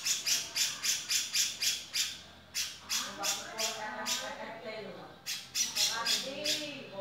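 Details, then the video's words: A male grey-cheeked bulbul gives fast, evenly paced rasping notes that slow into separate squawks, then a final quick burst, while softer wavering whistles sound lower down. "Suara Cucak jenggot jantan"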